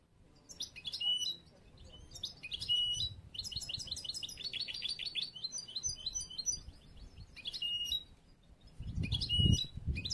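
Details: Caged young European goldfinch, bruno amarillo mutation, from late this year with song still unfinished and under training for contests; ten seconds of fast, dense high twittering and trilled phrases, a brief pause, then low thumping noise at the end.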